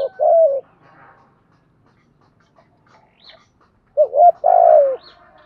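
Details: Spotted dove calling to challenge and lure wild forest doves: two deep, burred coo phrases, each a quick double note then a drawn-out falling coo, separated by a long quiet gap with faint higher chirps.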